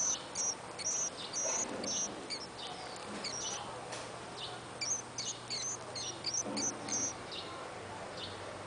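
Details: Warbling white-eye nestling on its ninth day after hatching, two days before leaving the nest, wings and feathers well grown, recorded with a Sony DSC-T200 camera. Thin, very high whistled peeps in quick bursts, some slightly rising, over steady background hiss.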